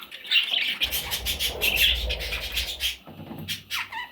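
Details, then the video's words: Parrot chicks chattering with quick, scratchy high calls packed closely together, a low hum beneath, then a brief gap and a few sliding squeaks at the end. "Parrot Chicks"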